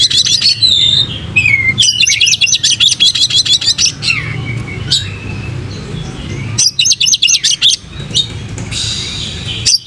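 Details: Oriental magpie-robin (kacer) singing vigorously with tail spread, used as a lure song: bursts of rapid, sharp whistles and trills high in pitch, with brief pauses, over a steady low rumbling hum.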